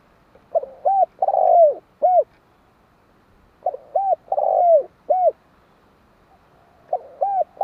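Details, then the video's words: Spotted dove cooing in a steady cycle, with three phrases about three seconds apart. Each is a double coo, a long burry descending coo, and a short closing note, in a quiet setting. "Tiếng chim cu"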